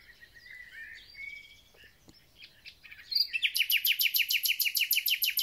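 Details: Thrush nightingale spring song: gliding whistled notes and soft chatter, then a loud, fast, regular volley of roughly fifteen hard repeated notes in the final two seconds.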